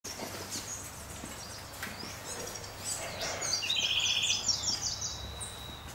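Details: Yellow-faced Tanager (Tangara lunigera lunigera) recorded in May 2012 at Sachatamia Lodge, Ecuador: high, thin chirping notes in a quick run near the middle of the clip over a steady hiss of background noise.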